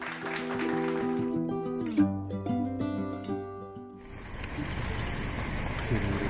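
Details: Plucked-string music plays throughout, shifting into a noisier, hissing stretch near the end, with no animal calls audible.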